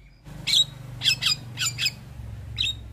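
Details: Javan myna in lively full song rich in 'isian' fill-in phrases, used to prompt silent mynas to respond; a few separated harsh, buzzy notes with short whistled tips over a low steady hum.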